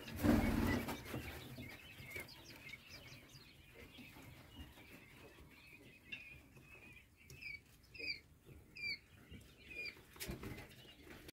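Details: Common quail chicks hatched on 1 June 2022 give thin, high peeps, several a second, rising to short sharp chirps near the end, after a dull knock at the start.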